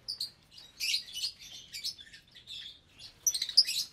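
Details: Around 25 lovebirds, parblue, euwing, opaline, lutino and albino, in one breeding cage at meal time: continuous rapid twittering and squeaky chirps, rising into sharper shrieks toward the end.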